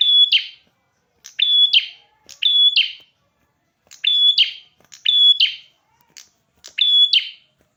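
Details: Red-headed prinia in vigorous song, giving six phrases in under eight seconds. Each is a clean high whistle sandwiched between rasping notes, with short pauses between.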